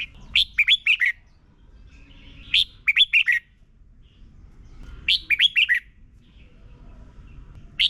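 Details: Red-whiskered bulbul song, the slow clear doubled style played for young birds to copy: three evenly spaced bursts of four or five warbling whistles, roughly every two and a half seconds, in a quiet background.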